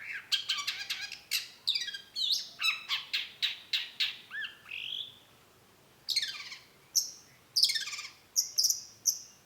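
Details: Long-tailed shrike (cendet) delivering a rapid, harsh chattering series of broadband notes, a short pause, then sharp high chips with scratchy bursts.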